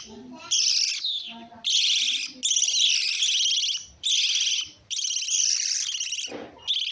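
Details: Long, rasping lovebird screeches, some over a second long, run almost without a break. Brief low chirps fill the short gaps.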